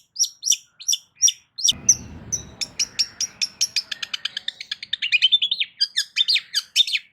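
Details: ['Long-tailed shrike song, loud and meant to provoke other shrikes into responding: a fast series of sharp, high chattering notes, first spaced, then a dense rapid burst of clipped notes repeated several times a second, with a faint low rumble mid-clip.']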